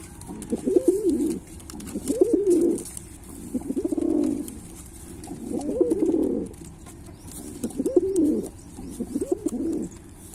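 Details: Pilkha pigeon giving deep rolling coos, five or six drawn-out warbled phrases spaced about two seconds apart, each swelling then fading, with soft hiss throughout.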